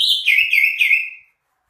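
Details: Short phrase of greater green leafbird song, three or four bright, dipping whistled notes that slide downward and trail off into silence.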